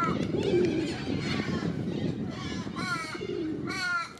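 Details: Aggressive corellas in Sydney's Centennial Park give two harsh, rasping screeches near the end, with low cooing and a murmur of background noise underneath; finding: Corella.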